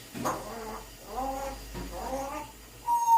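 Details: Pet African grey parrot indoors, mimicking household sounds: rough, harmonic bark-like and burp-like calls in three bursts, ending in a steady electronic beep-like tone, with a faint low hum underneath.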